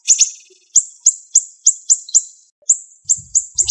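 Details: Siri-siri bird in a song-training recording of sharp, rapid bursts: very high, sharp chip notes sliding down, first as a quick pair, then singly about every quarter second, a short pause, then more, with faint low rumble near the end.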